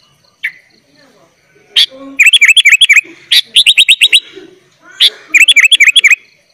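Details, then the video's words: Sooty-headed bulbul in lively, full filler-laden song used as a tutor for young bulbuls: bursts of clear whistled notes, each bending down then up, in rapid runs of five to eight with short pauses and a few sharp single notes. "kutilang gacor full isian - cocok buat masteran kutilang bahan"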